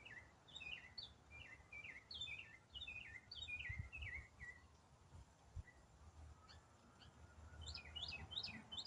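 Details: Songbird in autumn delivering a long non-stop complex riff: clusters of short high chirped notes, each dropping in pitch, repeated in quick rhythmic runs, with a faint thin whistle and low rumbling noise beneath.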